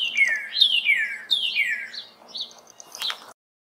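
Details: Male Northern Cardinal in Ohio, perched in a sunlit tree on a spring morning, 21 March 2021, gives three loud, clear downward-slurred whistles about one every half second, then a few softer, higher notes; other cardinals answer.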